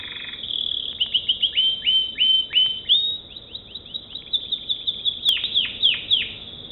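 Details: American Singer canary singing varied phrases: short slurred whistles, a brief steady tone, then a quick run of bright downward-sliding notes, roughly three per second.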